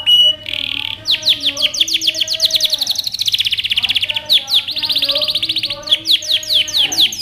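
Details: Canary's powerful training song, with long runs of rapid, high sweeping trill notes in several tours. Fainter lower tonal sounds run beneath.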